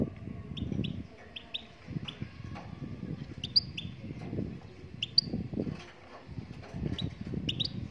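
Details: Moroccan goldfinch singing: short, bright chirped notes, some with quick upward inflections, scattered irregularly over several seconds, with low rumbling and thumping background noise in bursts throughout.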